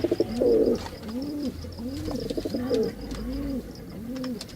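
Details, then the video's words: A male pigeon coos in soft, low, rolling phrases, each swelling and falling, repeated roughly every second, with faint higher chirps and ticks behind. "Pigeon sound Effect || Male pigeon super Performance"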